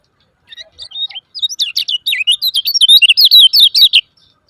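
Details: Rapid high chirping of a lemon-bellied white-eye, used to trigger silent birds to sing: a few scattered notes build into a quick, steady stream of sharp, warbling, up-and-down chips lasting about three seconds.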